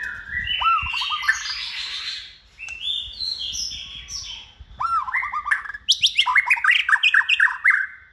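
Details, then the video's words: A hand-raised, caged white-rumped shama in its second season, described as multi-voiced and bold, sings a rich varied song. Loud fluting whistles slide up and down, then break into rapid chattering trills after a short pause. "chòe lửa dáng sẻ, hót cực bền nết chuẩn đấu giàn"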